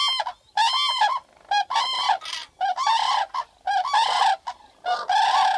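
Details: Common cranes filmed from a photo hide in southern Sweden in April 2014: loud, harsh trumpeting calls in bursts of about half a second, with several overlapping at times and short silent gaps between.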